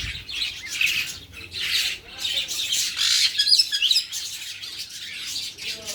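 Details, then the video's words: Birds chirping while being fed; a busy flock giving overlapping high chirps and harsh squawks in continuous waves, a few clearer sharp notes near the middle. "Feeding Birds | Birds Chirping"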